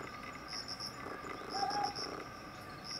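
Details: Ryukyu scops owl giving a single short, low hooted note with a slight upward slur, set against constant high, pulsing insect chirps.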